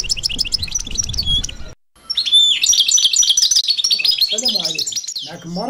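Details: Caged goldfinch mule, described as a phenomenon, singing: rapid high twittering with buzzy trills and chirps, a short silent break, then dense ringing phrases, and a man speaking Arabic near the end.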